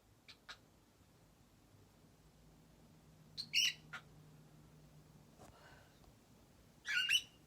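A cockatiel makes sharp, smacking kiss sounds in short bursts, with faint clicks between them.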